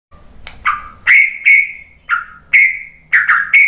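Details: White-rumped shama, used as a lure to make other birds reply and sing: a short run of clear, loud whistles that level off or slide downward, given roughly every half second, with brief sharp clicks between them.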